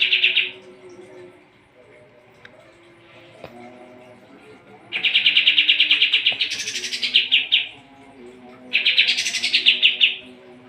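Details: Sooty-headed bulbul singing actively, used as a tutor song for training champion competition birds: loud, fast chattering trills repeated in bursts, each ending in a higher, brighter rise, with quiet gaps and faint low tones behind.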